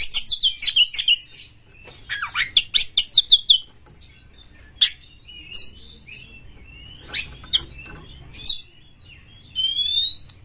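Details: Oriental magpie-robin (kacer galak, aggressive) giving quick runs of sharp chirps, then spaced single whistled notes, ending with a long, rising, clear whistle over faint low noise.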